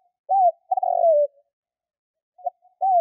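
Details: Spotted dove cooing played as a lure for hunting: a rising-falling coo followed by a drawn-out burry note, then after a pause the phrase begins again, in a clean, quiet recording.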